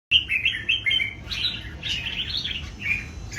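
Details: Three old wild-caught red-whiskered bulbuls in a singing duel: bright, fluid warbled phrases tumbling up and down, sung almost without pause over a low background rumble.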